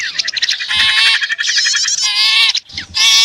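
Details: Lure recording combining sipu and prenjak (prinia) calls to attract wild birds; dense harmonic buzzy bursts with quick descending slurs, broken by brief pauses, with faint low thumps between phrases.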